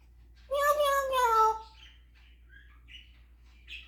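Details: Pet African grey parrot performing its repertoire of imitated words and sounds: a loud harmonic wavering whistle-like note for about a second, then scattered soft chirps and clicks.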